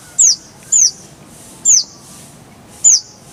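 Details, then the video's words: Van Hasselt's sunbird (kolibri ninja) in a tutor recording with clear voice: four loud, very high, thin downslurred chirps, separated by short irregular pauses. "Masteran Kolibri ninja full isian, Roll tembakan Suara jernih"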